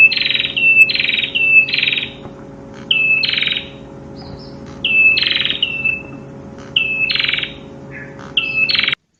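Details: Prinia song: a series of high phrases, each a whistled note running into a harsh buzzy burst, repeated many times with short gaps, over constant low humming background noise.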